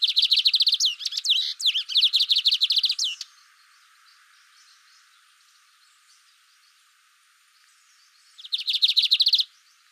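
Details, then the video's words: Song of a lined seedeater: fast chains of bright, evenly repeated chirps broken by quick upward sweeps, then several seconds of near silence before a final trilled burst. "CANTO DO BIGODINHO"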